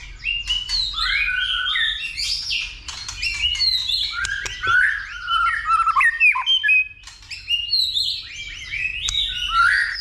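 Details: Ten seconds of a male white-rumped shama's fighting song, prompted by a female in the dìu bổi style: a dense, fast stream of loud warbles, chattering notes and slurred whistles with hardly a pause.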